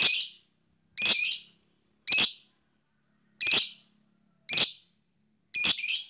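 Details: Fighter lovebird provoked into chattering (ngekek): six short, harsh, rasping bursts, each about half a second long, repeated roughly once a second with silence between.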